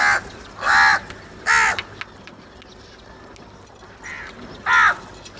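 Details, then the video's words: Crow, possibly one of several fighting over food, giving harsh, nasal caws in short bursts: three loud caws close together, a pause, then two more, each about a third of a second long. "Crow sounds | کوے کی آواز"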